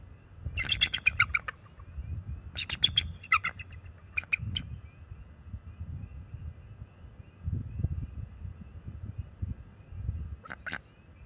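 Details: Bald eagles at their nest on March 7, 2024, calling to drive off a nearby owl; two early bursts of high, squeaky chattering notes, then mostly low background rumble and one short call near the end.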